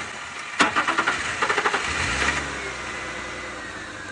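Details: During an afternoon safari drive, a vehicle engine cranks with rapid rhythmic pulses, catches and settles into a steady idle.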